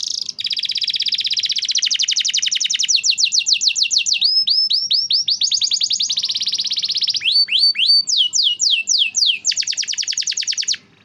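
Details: Canary song used as a training master for canaries that sing rarely: long fast trills, rising and falling swept notes repeated in quick series, high sharp chips and continuous rolling phrases.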